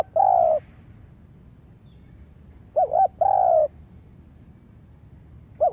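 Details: Spotted dove used as a lure bird for trapping, calling in loud, clear coos: a short two-part note followed by a longer drawn-out coo, repeated after a pause, with a steady faint high hum behind.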